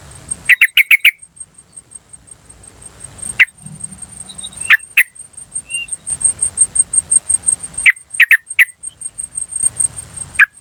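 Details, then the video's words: Wild yellow-vented bulbul calling in nature, used as a lure to attract wild bulbuls: short bursts of four sharp, quick chips, then scattered single notes, over a steady high insect trill. "PANCINGAN TRUCUKAN BAHAN Asli Suara Alam Liar CUK CUK CUK memanggil"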